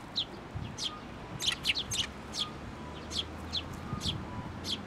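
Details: Parent sparrow that came for food and suddenly turned aggressive, at a Tenmangu shrine on 16 May 2024: short, sharp high chirps given singly and in quick pairs at irregular intervals over quiet background hum.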